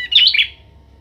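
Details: A young Bar-winged Prinia being trained with a kept prinia to build its calling gives a single quick, buzzy chirping phrase of about half a second, high and wavering, then only a faint low hum.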